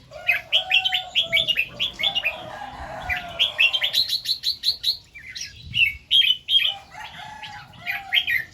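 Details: Red-whiskered bulbul singing in the morning, in the doubled two-to-three note and "rik" styles; quick runs of bright, bubbling whistled notes in short rising and falling phrases, with a few lower warbles in the background.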